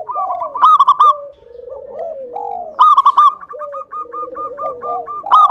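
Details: Local-type zebra dove in strong singing form, used as a lure to stir rival doves into calling: bursts of rapid, staccato cooing notes alternate with lower, softer gliding coos, ending in a long even string of clipped notes.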